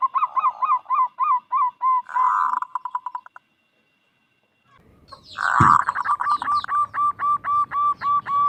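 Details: Local zebra dove (perkutut), used as a lure to draw other doves into calling, giving rapid runs of soft, rolling coos, about four per second, broken by a pause and a brief clatter before the cooing resumes.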